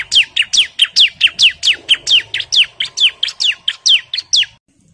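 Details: Bar-winged prinia singing hard to call out an opponent: a long run of quick falling chirps, roughly two to three each second, ending abruptly into near silence.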